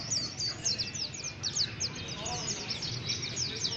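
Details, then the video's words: Rough chirping from a white-eye: a busy string of sharp, high, downslurred chirps, fast and uneven, above a faint low rumble. "Pleci tuli lulit lulit.trus ngriwik kasar"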